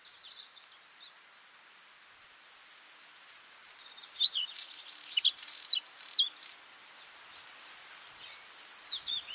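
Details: Bluethroat song opening with thin high notes, then a steady string of loud, clear ringing chips about two or three per second, some slurred downward, tailing off into softer twittering.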